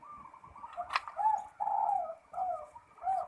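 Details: Zebra dove song in the full ngerot style: a series of soft, wavering coos rising and falling, repeated in short bursts, with a steady faint hum underneath.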